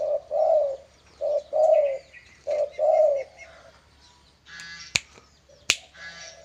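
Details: Trained pet dove prepared for song contests; three paired coos, a short note followed by a longer rounded one, then quiet, some rustling and two loud sharp clicks close by.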